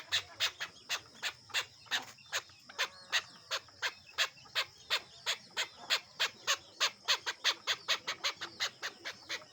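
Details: Tame local male chukar, released to roam freely outdoors, calling in a long, steady run of harsh, clipped notes, roughly three per second, continuing without pause for nearly ten seconds.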